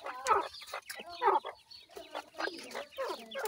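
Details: Grey francolin, known locally as dakhni teetar, a pair with chicks; a series of short, harmonic, clucking calls in quick bursts, about one per second, with faint rustling between calls.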